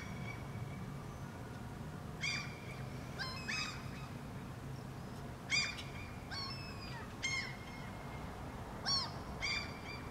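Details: Common Gulls (Larus canus), two birds in dialogue in Helsinki, Finland, June 2013: clustered loud yelping mews of two or three notes, repeated at irregular intervals of a second or two, over faint low background rumble.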